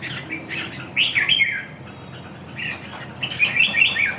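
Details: Red-whiskered bulbul giving two short bursts of bright, warbled chirps that rise and fall quickly, separated by a quiet gap, over faint background hiss.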